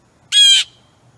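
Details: Blue jay feeding at suet on August 22, 2015, with a wild turkey wandering nearby: a single harsh, raspy, nasal squawk lasting about a third of a second, rich and buzzy, in an otherwise quiet background.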